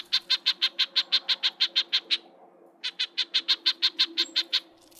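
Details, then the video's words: An agitated or threatened Red-breasted Nuthatch gives repeated rapid nasal yank notes, about three per second in two bursts of a dozen or so, a call given while flicking wings in annoyance, with a faint low hum behind. "when agitated or feeling threatened they make a similar sounding version but with repeated yanks one after the other"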